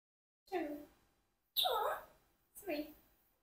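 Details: A 4-year-old Congo African grey parrot talking, asking questions in three short, word-like phrases of about half a second each, with clear voice-like harmonics and brief silences between them.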